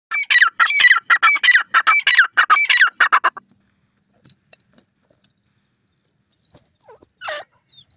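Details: Indian francolin, called teetar, giving a loud harsh repeated call: rapid bursts of grating notes for about three seconds, then quiet with a few faint clicks and one short squawk near the end.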